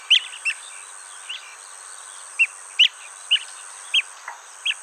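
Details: Blue-tailed bee-eater near its nesting hole, recorded on a Nikon D500; about eight single clipped chirps spaced roughly half a second to a second apart, against a constant thin high-pitched background hiss.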